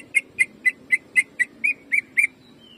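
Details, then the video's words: Greater green leafbird, a kept songbird used as a training lure to excite others; a steady run of nine loud, sharp whistled notes about a quarter second apart, each with a slight upward inflection, over a quiet background. "CUCAK IJO GACOR JAMTROK TEMBAKANYA BIKIN PANAS"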